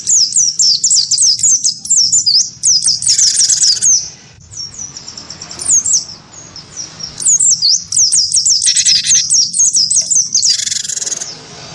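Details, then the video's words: Persistently singing wingko cinereous tit answering a white-eye with combative song: bursts of rapid high slurred whistles alternating with loud rasping chatters, a quieter stretch midway. "gelatik batu wingko gacor pancing bunyi tarung sama burung pleci"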